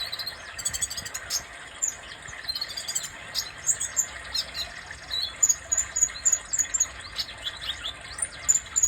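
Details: Sunbird, called kolibri dada merah, giving rapid high-pitched chips and short sharp whistled notes in quick irregular bursts, with a steady insect-like hiss underneath.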